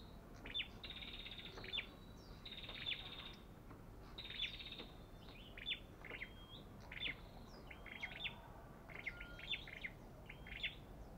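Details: Belligerent olive-backed tailorbird giving rapid, clipped whistled notes with sharp upward and downward flicks, delivered in quick clusters and bursts throughout, with steady faint background hiss.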